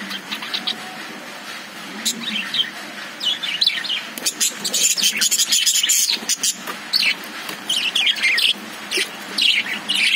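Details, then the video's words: Busy chatter of several caged lovebirds: sharp high chirps and buzzy twitters building into loud, crowded bursts, dropping to quieter scattered notes in between. "Love birds sound"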